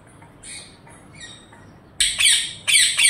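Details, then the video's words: Parrot calling: faint, thin notes at first, then two loud, harsh, raspy squawks bursting out in quick succession, each a broad grating screech lasting about half a second. "PARROT CALLING"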